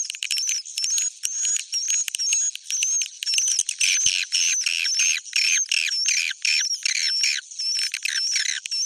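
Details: Bhayangkari-style swiftlet roosting sound: rapid buzzy chirps, about two per second, with short, slightly wavering high whistles threaded between them.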